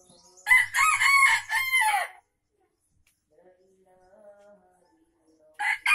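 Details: An Aceh junglefowl's lure crow: a harsh, broken crow of several choppy syllables lasting under two seconds, a long silent gap, then the start of another crow.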